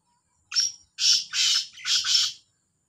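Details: Black francolin, one of two birds in a calling contest, giving a harsh, rasping phrase: a short opening note followed by three loud grating syllables in quick succession.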